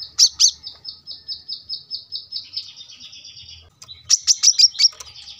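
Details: Brown-throated sunbird in full cage-bird song for training other birds: a steady series of clear high notes at an even pace, a short pause, then a louder burst of sharp, rapidly repeated chirps.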